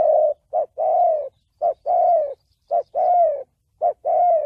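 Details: Spotted dove calling in the 'thổ bầu' style used to attract wild doves to traps: a crisp short coo then a longer, slightly falling coo, the pair repeated four times at an even pace.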